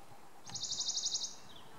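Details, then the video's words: A Western Bonelli's warbler at Hourtin beach, France, gives a dry, rattling trill of about ten quick notes on one high pitch, lasting under a second, over faint background hiss. "Pouillot de Bonelli (Phylloscopus bonelli)"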